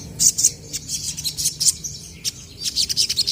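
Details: Vocal crested jays (sogon) answering one another, a recording for prompting untrained birds to call. Loud high chips and short rattled notes come in clusters separated by brief pauses.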